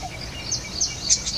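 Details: Golden oriole chicks in a woven hammock nest, being fed by a parent, give thin, high squeaky notes in a quick irregular series of four or five, over a steady outdoor background hiss.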